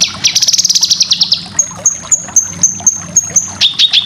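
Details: Cucak kinoy, full besetan song for training competition birds: a fast chattering run of high notes, then about nine thin, evenly spaced high pips and a few dropping notes.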